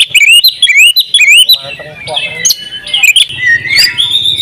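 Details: Champion oriental magpie-robin singing with full fill-ins, ngobra style: loud looping upslurred whistles repeated rapidly, easing into softer warbles and scattered sharp chips with a faint low hum behind.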